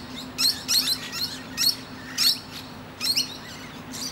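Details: Musk lorikeet on a tree branch, resting and chatting with other birds; short, squeaky, high-pitched notes in twos and threes separated by brief pauses, with a constant low hum.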